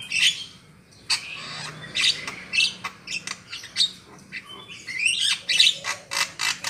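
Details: Lure calling by a black-winged myna, used in trapping: irregular harsh squawks and grating chatters separated by short pauses, with a brief squeaky whistle partway through.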